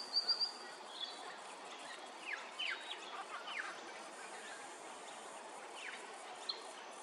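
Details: Immature pied butcherbird at Hervey Bay, Queensland, giving three quick high chirps, then scattered faint, squeaky downslurred notes over a steady hiss of background noise.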